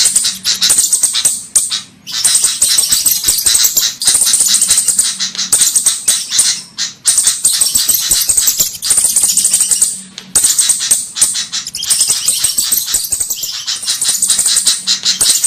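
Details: Javan flowerpecker lure sounds: very high, thin ticking and hissing notes in dense, rattling bursts running almost without pause, broken by brief gaps every few seconds.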